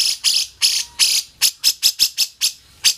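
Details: Grey-cheeked bulbul (cucak jenggot) in a recording used to train other songbirds: harsh, buzzy, high chattering notes repeated about four times a second in short, even bursts.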